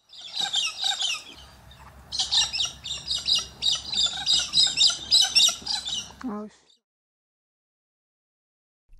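Australian king parrot giving harsh, high, rapid chattering squawks in repeated bursts over a low steady hum, ending abruptly.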